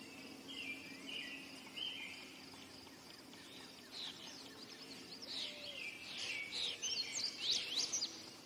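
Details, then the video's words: Indigo bunting: soft, faint chirped phrases at first, building to a loud cluster of high, quickly sweeping paired notes near the end, with a constant insect drone in the background. "Indigo bunting song / call / sounds"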